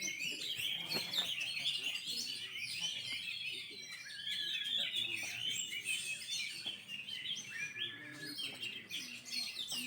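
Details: Caged Oriental magpie-robins competing in a 2020 bird singing contest: overlapping loud, varied whistles and quick twittering runs pour out without pause, while a man's voice and crowd murmur sit low in the background.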